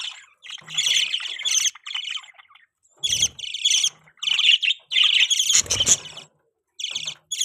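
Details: Budgerigars kept as pets chatter in dense, scratchy bursts of chirps and squawks, with brief gaps and a sharp thump of movement near the end.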